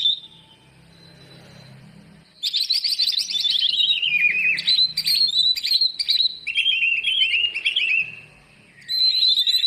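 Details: Greater green leafbird song used as a lure to coax reluctant birds into singing: after two quiet seconds, rich loud warbling phrases of rapid chirps and whistles, sliding downward then rising again, with a brief pause near the end.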